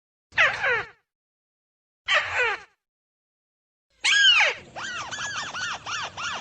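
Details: Rufous-fronted prinia call used as a trapping lure. Three harsh, scratchy, descending notes, spaced about two seconds apart, lead into a quick run of bright, repeated arched chirps.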